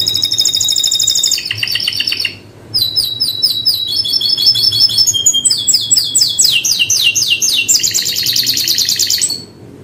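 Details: Canary singing a long, loud, high series of rapid rolled trills, each phrase a fast repeated note that shifts pitch and speed, with a brief pause before resuming. The song is steady, with a faint low hum underneath.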